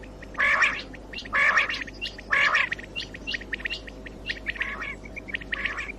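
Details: Common quail call used for morning hunting: three loud trisyllabic bursts about a second apart, followed by fainter, scattered chirpy notes, with a low background hum throughout.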